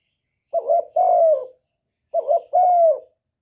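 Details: Male spotted dove cooing to get a female laying. Two low, mellow phrases roughly one and a half seconds apart: a warbled double note, then a sustained coo that slides slightly downward.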